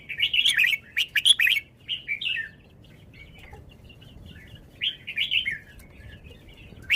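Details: Red-whiskered bulbul kept in a cage, showing its song phrasing: rapid, liquid, warbling phrases in clustered bursts, a pause of quieter twitters, then another rich, rolling run of notes.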